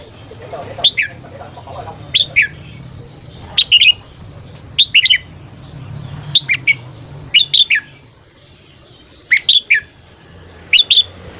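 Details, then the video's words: A red-whiskered bulbul repeats brief whistled morning phrases about every one to one and a half seconds, each a sharp two- or three-note flourish, steady and loud above a low background hum. "luyện giọng chào mào hót sáng"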